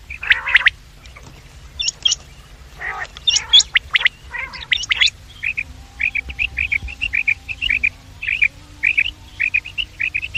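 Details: Quail sounds for luring, morning and evening: a few raspy notes and sharp upswept chirps, then a steady run of short clipped whistled notes in small groups.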